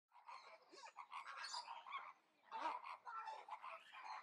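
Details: A male Black-casqued Hornbill gives harsh, nasal, braying notes in two raucous bursts of about two seconds each, with a brief pause between them.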